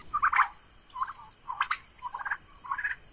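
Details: Young Royal Palm and Broad Breasted White turkeys grazing together outdoors on a summer day, giving a run of short yelping and gobbling calls in quick bursts, about five over three seconds, over a steady high insect hum.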